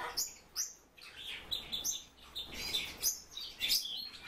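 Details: Kept silver-eared mesia giving high, thin chirps and short twittering notes in loose bursts, set against a noisy, hissy room background.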